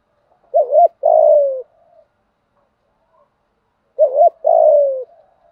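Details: Spotted dove fighting coo, a call used to train decoy birds to coo back: two loud, clean phrases, each a short wavering double note followed by a longer, slowly falling coo, separated by about three seconds of silence.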